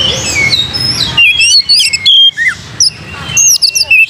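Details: Singing Oriental magpie-robin, recorded as a lure to encourage singing: a varied string of loud, pure whistles, some swooping downward, others flicking upward, delivered in quick bursts with short pauses, after a brief noisy start.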